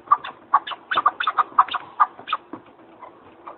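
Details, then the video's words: Partridge giving a quick series of harsh, clucking chuck notes, several close together, in an irregular chattering run that fades out after about three seconds. "Biraz Keklik Dinleyelim"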